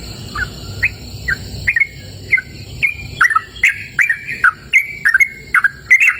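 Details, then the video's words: Yellow-vented bulbul singing in open natural surroundings: soft scattered whistles at first, building into a quicker, louder sequence of bright chirpy slurs. "Suara Merdu Burung Trucukan Gacor!"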